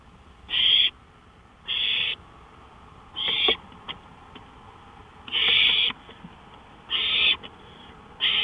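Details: Owl calling at 1:53 AM on May 5, 2013, out by a porch: a steady series of short scratchy hiss-like screeches, about seven in eight seconds, with faint soft ticks in between.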